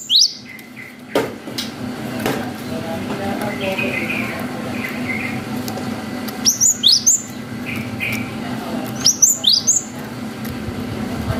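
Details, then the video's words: Cinereous tit singing long whistled phrases, a lively bird used as a lure to provoke young tits into answering. Short high whistled notes come in clusters around 6.5 and 9 seconds, with quieter chirps between over a steady low hum. "GELATIK BATU GACOR WUCIT PANJANG"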